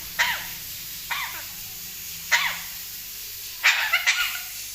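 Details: Talking parrot mimicking a cough, giving short explosive hoarse bursts with a brief ringing edge, four or five separated by pauses of about a second.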